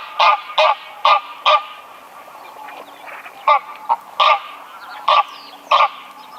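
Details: Greylag goose honking in bursts: four quick nasal honks, a pause, then a further scattered series of six honks.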